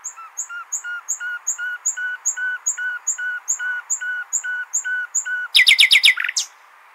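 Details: Nightingale in Hasaniya style, sung for goldfinch and hybrid chicks to learn: a long run of low, hollow piping notes repeated about three times a second, then an abrupt burst of loud buzzy rattling.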